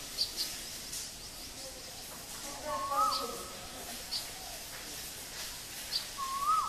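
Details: Male Asian koel in Guwahati, Assam, India, giving two fairly faint rising whistles that fall off sharply at the end, about three seconds apart, with brief high chirps of small birds around them.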